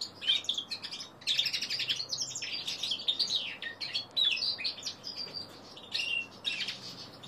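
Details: Young male common linnet × canary hybrid, three months old, learning to sing. Fast, high twittering warble of chirps, trills and short whistled slides in near-continuous phrases. A brief pause follows just before the six-second mark.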